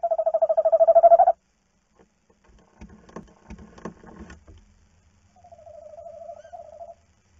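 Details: Tawny owl at a webcam nest box at night as the female leaves and the male watches over the eggs: a loud pulsed trill, then soft knocking and scraping, then a quieter, shorter wavering trill.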